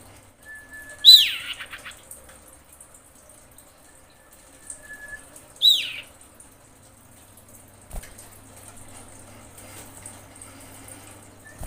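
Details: Breeding female common iora calling for males: two brief, sharp downslurred whistles about four and a half seconds apart, with a faint thin whistle before the first and light tapping or dripping sounds in the background.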